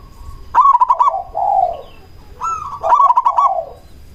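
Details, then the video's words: Zebra dove of local stock used as a lure to stir other doves to call. Two phrases each open with a rapid staccato burst of short notes, then slide into a drawn-out, lower purring coo. "Perkutut lokal gacor RAJA PIKAT ahlinya bikin semua burung perkutut lain gacor nyaut"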